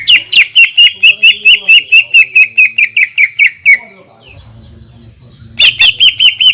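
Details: Greater green leafbird in full long-shot 'tembakan' song, used to stir other leafbirds: nearly four seconds of rapid, piercing notes, a quiet gap with faint low hum, then the fast string resumes.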